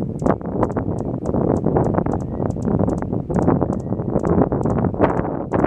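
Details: Hummingbird along Muddy Hollow Trail gives very high, thin chips, often doubled, about two or three per second, over a steady rushing, rumbling background noise.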